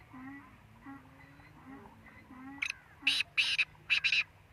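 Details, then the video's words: Black francolin giving loud, harsh, grating notes in a quick run: one short burst, then two longer rasping ones and a final double, after softer low hummed tones in the background. "kala teetar ki awaz"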